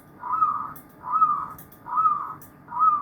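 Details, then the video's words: Many zebra doves in chorus produce four warbling coo bursts at an even pace of about one per second, over soft background noise. "Paduan suara perkutut baba"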